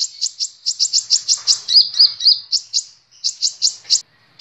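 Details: Sunbird used as a training model for caged birds, giving a fast stream of sharp, high chips, about three or four per second, broken by a few short upslurred notes; no other sounds are heard.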